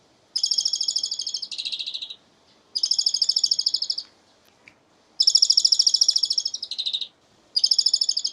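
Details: Asian pied starling producing laughter-like song: four bouts of quick high pulsed chattering, some ending in a lower rattling tail, with brief quiet gaps between them.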